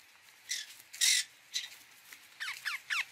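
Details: Indian ringneck parakeet giving scattered harsh squawks, one loud rasping burst near the start and a few short descending shrieks at the end, over a slightly noisy background.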